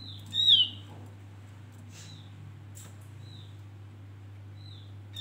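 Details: Javan grey-throated white-eye male singing a lure song for trapping birds: one strong high whistle bending downward, then several soft, distant whistles of the same shape, over a constant low electrical hum.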